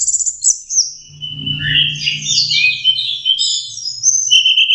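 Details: Orange-headed thrush, a young bird practising its song: a dense run of high, buzzy, warbled whistles with fast changing notes, ending in clear sharp chirps; a soft low rumble underneath.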